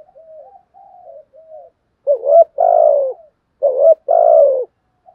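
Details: Spotted dove in thúc and gù calling styles: three soft, low murmured notes lead into two loud double coos, each a short rising note followed by a longer, steady, falling one.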